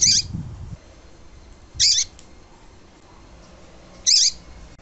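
A double-collared seedeater gives three brief, high, twittering phrases about two seconds apart, with quiet pauses and a faint low rumble between them.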